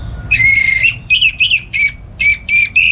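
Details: Morning ngeplong singing from a home-kept orange-headed thrush used as a tutor for other songbirds: a drawn-out whistle, then clipped slurred whistles and rasping notes in rapid sequence, ending on a buzzy tone.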